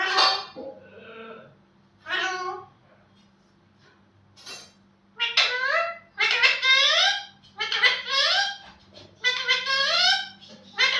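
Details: Pet talking parrot indoors giving a morning greeting: a series of harmonic, speech-like syllables with falling inflections, first spaced out, then delivered in rapid repeated phrases in the second half, with a low steady hum behind.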